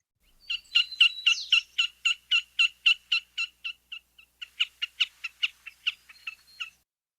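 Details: Wilson's Snipe giving its "kak" call, like a squeaky wheel: a rapid, even series of squeaky, sharp notes, about four per second, usually given at regular intervals from a perch such as a fence post or the ground; nothing else is heard.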